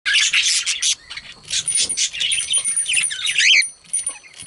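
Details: Two pet budgerigars chirping; dense, busy chatter of high, scratchy and warbled notes with brief whistled slides, running almost continuously, then a short pause near the end.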